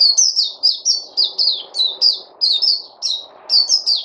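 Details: Local Puteh, a white-eye, on 29 August 2020 giving a lively stream of high, bright chirps that dip in pitch, paired and repeated about three times a second, with light background hiss.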